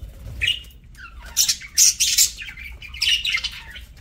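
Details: Mealtime budgie voicing a few grating squawks, loudest in a cluster of three harsh bursts in the middle, quieter scratchy notes before and after.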